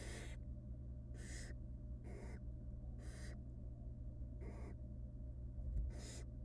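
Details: Wild barn owl nestlings in a nest box beg while the female feeds them small pieces of rabbit: harsh, breathy hissing screeches, each about a third of a second, repeated roughly every second over a steady low hum.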